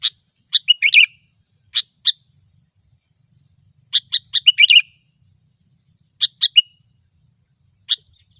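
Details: Sooty-headed bulbul, lure song in gecor style: repeated bursts of bright chips leading into short bubbling, warbled flourishes, several phrases spread over about eight seconds in a clean recording.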